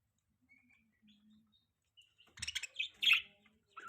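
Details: Pet budgerigars chirping indoors: a few faint short notes, then a loud burst of scratchy, buzzy chirps and sharp tweets in the second half, with quick chattering bursts and brief pauses.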